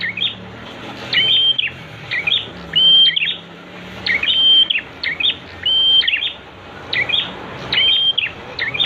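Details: Prinia song used as a master recording to train kept birds to sing: bright chirpy phrases each holding a steady high whistle, repeated roughly every one and a half seconds, over a low background hum.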